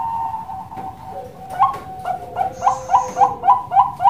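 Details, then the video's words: Bangkok perkutut kept at a breeding farm in Kroya, Cilacap, Central Java: a soft drawn opening note, then a sequence of clipped, accented coos repeated at a steady rhythm of several per second. "PERKUTUT BANGKOK SUPER MERDU"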